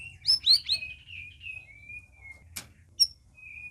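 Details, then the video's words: Captive red-whiskered bulbuls housed together as a group, first week of care: a quick burst of bright rising whistles, then long level whistled notes and a couple of sharp clicks, over a faint low hum. "CUCAK RAWIS OMBYOKAN"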